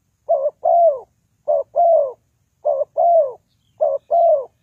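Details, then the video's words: Spotted dove calling, a recording used as a lure for trapping: four paired coos, each a short wavering note followed by a longer, downward-sliding croo, repeated about every second and a quarter against a silent background. "The Sound Of Spotted Dove is very good,Bẫy cu gáy bằng mồi trồn"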